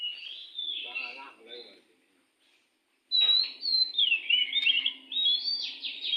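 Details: Wild oriental magpie-robin near a house, singing very actively: a few high whistled notes, then a man's voice, a short silence, and a burst of sweet, varied, warbling phrases with sliding whistles.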